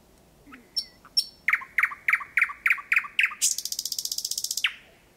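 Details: Thrush nightingale singing very close, about 4–5 metres, at 01:23 on the night of 8 May 2020 in Kiili parish, Estonia: a few soft opening notes, then a fast series of loud repeated chock notes building into a rapid high rattling trill.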